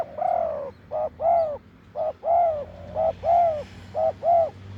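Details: Wild spotted dove with a deep voice, close by during decoy luring, gives a rhythmic run of hollow coos, a short note then a longer drawn one, repeated about once a second.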